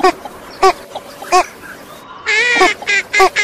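A female Northern shoveler gives short nasal quacks, spaced about half a second apart, then a longer drawn-out quack followed by two quick ones.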